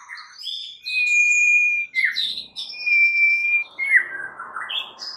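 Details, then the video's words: White-rumped shama song played to goad other shamas into singing: long pure whistles held steady, overlapping higher notes and buzzy slurs, closing with a descending rough phrase. "PANCINGAN murai paling AMPUH"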